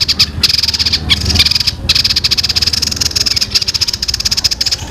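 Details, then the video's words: Young bird singing a long, tight, continuous rolling song said to resemble a fighting sparrow; loud, rapid high-pitched trill of dense pulses, running almost unbroken with only brief pauses near the first and third seconds. "suara burung ini mirip gereja tarung full ngeroll panjang rapet"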